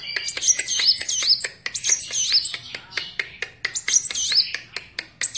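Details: Van Hasselt's sunbird in lively song: dense, high, sweeping whistled twitters pouring out almost continuously, punctuated by loud crisp clicks.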